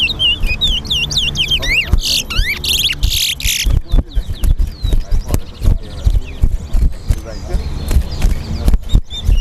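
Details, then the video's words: At a Guyana National Stadium singing contest, a chestnut-bellied seed finch (towa towa) gives quick looping whistles and dense buzzy bursts for about four seconds, then crowd chatter and clattering take over. "TOWA TOWA BIRD SINGING COMPETITION AT GUYANA NATIONAL STADIUM"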